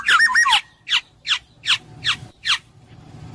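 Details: Black-naped oriole (kepodang emas): an opening fluty, looping whistled phrase followed by five evenly spaced harsh, down-slurred nasal calls about every 0.4 seconds.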